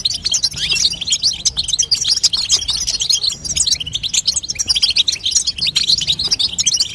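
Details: Female European goldfinch calling to stimulate a young goldfinch to sing: continuous high, rapid twittering of tinkling chirps and short buzzy notes, dense and unbroken across the whole stretch, with a faint low hum beneath.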